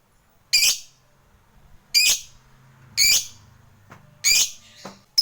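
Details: Fighter lovebird calls used as a lure to provoke a rival's quick response and long ngekek chattering: four shrill, harsh, high chirps about one to one and a half seconds apart, with a faint low hum and a brief softer chirp near the end.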